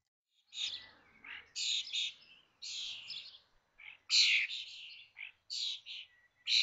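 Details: Common starling chicks, 21 days old, in a wired nest box at Théding on 19 May 2024, as the brood of five fledges: harsh, raspy, hissing calls in bursts of about half a second, with short gaps between them, several in quick succession.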